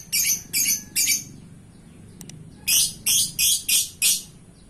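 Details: Lovebird in full gacor voice, rattling off harsh, shrill chirps in two bursts: three quick notes, a short gap, then five rapid notes almost back to back.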